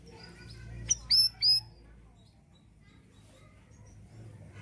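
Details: Siri-siri bird singing as a master song for other songbirds: a quick click, then two bright high whistled notes in close succession, followed by near silence with a soft low hum.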